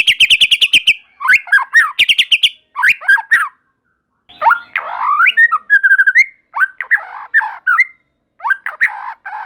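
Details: White-rumped shama in vigorous, nonstop song said to make other shamas join in: a fast buzzy trill opens, then rich varied whistled phrases with sharp up-and-down slurs, separated by brief pauses.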